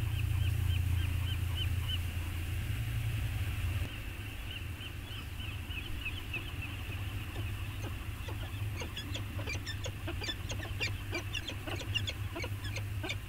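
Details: Peregrine falcons bonding on Anacapa, recorded by webcam on 14 August 2021: a quick run of high chirps gives way to a dense volley of harsh, crackling calls, over a low rumble throughout.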